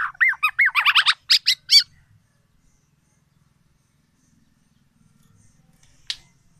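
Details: Tame, actively singing black-naped oriole giving its loud, distinctive song: a quick two-second burst of rich, looping whistles followed by harsher notes. Then silence, broken only by a single click near the end.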